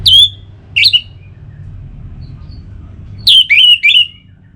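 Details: Orange-headed thrush song, played to draw kept birds into singing: short, sharp whistled notes, a single one, then a doubled one, and after a long pause a quick run of three slurred whistles, over low steady background hum.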